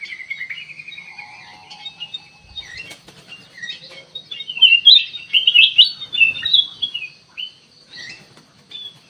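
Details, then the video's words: Sooty-headed bulbul sound played as bait to get birds to respond: a thin, wavering trill opens quietly, then louder jumbled chirps and warbles crowd together in the middle before fading to scattered notes. "burung kutilang emas buat pemikat langsung respon"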